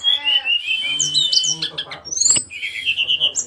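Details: Song of a brown-chested jungle flycatcher opening with a long, level, high whistle, then a sudden rush of sharp upward chirps, a burst of noisy notes and a warbling high trill at the end.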